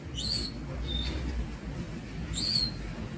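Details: Young Javan Munia (Lonchura leucogastroides) calling: two thin, high, rising notes with a brief fainter note between, over low background rumble.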